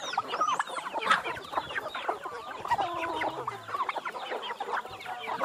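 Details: Backyard free-range hens in Brazil gathered at feeding time, giving a busy mix of clucks, chirps and brief squawks from many birds at once, with a low hum in the background.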